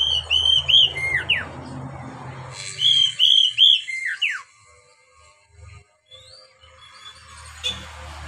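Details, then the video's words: Whistled Oriental magpie-robin phrases, used to coax beginner caged birds into song: two similar bursts of bright notes with falling slides, then quieter scattered notes and low rumbling noise. "SUARA KACER buat PANCINGAN KACER PEMULA agar cepat gacor"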